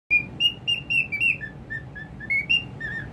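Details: Pet cockatiel giving quick, bright whistled chirps, alternating higher rising notes with lower flat ones, about three or four a second, over faint low room noise.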